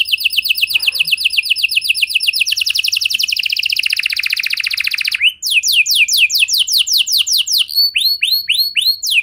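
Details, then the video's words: Canary song for prompting other canaries to sing: a long, very fast rolling trill shifting in pitch, followed by a run of quick descending whistled sweeps and clipped chirps. "Pancingan Suara Burung Kenari Lagu Unik! Buat Kenari Mana Saja Pasti Ikut Bunyi"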